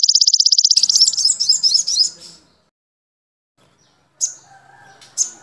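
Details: Crimson sunbird tutor recording, standard opening song joined with a golden grasshopper's sound: a steady high buzzing insect pulse, then a rapid, high, jumbled chattering twitter, a pause, and sharp high chips.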